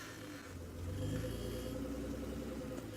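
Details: Idling vehicle engine hums and rumbles at low pitch, rising slightly in the middle; no animal calls are heard.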